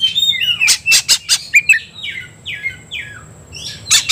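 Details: Oriental magpie-robin roused to fight: sharp harsh clicks and squawks, then a row of four falling whistled notes spaced evenly, and a final loud burst.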